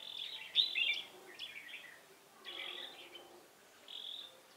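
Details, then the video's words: Wild-caught red-whiskered bulbul from Hòa Bình, flitting with butterfly-like wing movements during trapping with a decoy bird, 18 November 2017. Bright, chattering, warbled phrases come in bursts with short pauses between them. "Bẫy chào mào Bổi hòa bình chơi lăng xăng cánh bướm"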